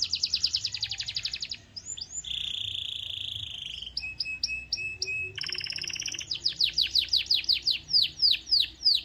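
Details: Canary song meant to stimulate other canaries to sing: fast buzzy trills of rapidly repeated high notes, a sustained whistled tone, short clipped notes, then a loud series of descending sweeping notes repeated about three per second.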